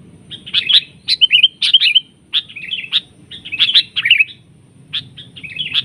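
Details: Sooty-headed bulbul lured during bird trapping, grappling with a decoy bird in a fight; short bright chattering phrases of sharp, slurred notes come in quick bursts, repeated roughly every half second to second, with a low rumble underneath.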